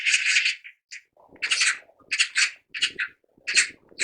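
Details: Magpie chatter: bursts of harsh, scratchy rattling notes in short clusters, separated by brief gaps and softer low murmuring sounds.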